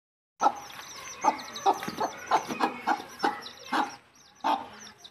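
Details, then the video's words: Mother hen clucking as she leads her chicks back to the nest to roost: short, throaty clucks repeated irregularly, about nine in five seconds, with faint high peeps behind. "The mother hen takes her chicks back to the nest to roost"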